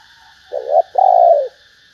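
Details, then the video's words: Female spotted dove calling to stimulate males: two low cooing notes, a short wavering coo followed by a longer, steady coo that slopes gently downward, over a faint steady hum. "Tiếng cu mái kích trống hiệu quả"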